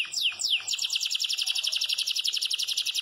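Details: Yellow Belgian canary in full campainha song: a couple of downward-swept whistles lead into a very fast, even, ringing trill of high notes, about four per second or more, with no other sounds.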